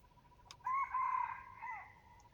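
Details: Hybrid red junglefowl rooster crowing: a short click, then a loud harmonic crow of about one and a half seconds, two strong opening syllables flowing into a softer, wavering, falling tail, over a faint steady background tone.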